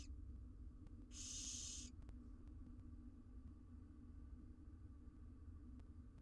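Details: Barn owl nestlings, four wild chicks in a monitored nest box in Israel while the mother is out: one short rough hiss near the start, then steady low hum and faint ticks.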